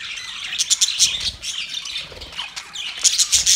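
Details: Mating budgerigars chirping rapidly, clusters of piercing high notes and scratchy squeaks, with a few descending slurred whistles near the end.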